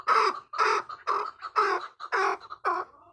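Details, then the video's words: Hybrid chukar partridge giving six harsh, clipped notes spaced about every half second in a steady repeated rhythm, recorded close with no other sounds. "Кабки гибрид"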